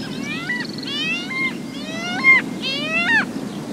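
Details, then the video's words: Arctic skua at Herma Ness, Unst, Shetland giving wailing, nasal calls that rise then drop sharply, about every second, with skylark song in the background and steady wind. "Arctic Skua Calls / Arctic Skua. Calls, With Skylark Song In B/G And Wind."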